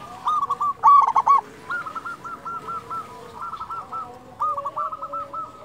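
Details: Zebra Dove, a local bird with a strong voice, singing as a lure: one loud bubbly coo burst near the start, then long runs of quieter, quickly repeated cooing notes.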